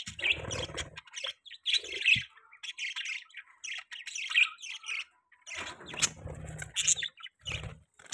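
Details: Budgies chatter in a steady run of bright, squeaky chirps and short warbled notes, broken by brief pauses, with occasional low grating rasps underneath.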